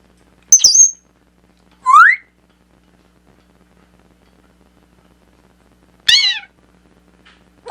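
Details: African grey parrot making varied funny noises: a sharp high whistle with a downward flick, a rising slurred whistle, then a rapid stack of bright chirpy notes sliding down, separated by seconds of silence.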